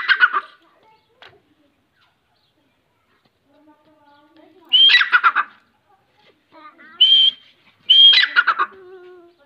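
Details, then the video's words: Grey francolin, locally called teeter, calling in loud harsh bursts: short grating notes sliding down from a high whistled tone, repeated about every three seconds with quiet gaps between. "Grey francolin bird // kamuju sound // kowthari sound // teeter sound // teeter voice"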